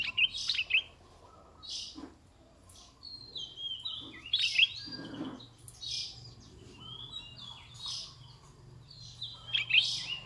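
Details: Red-eyed bulbul, described as a decoy bird, repeating short bubbly whistled phrases every few seconds, each a quick cluster of chirps followed by a slurred descending note, with a steady low hum beneath.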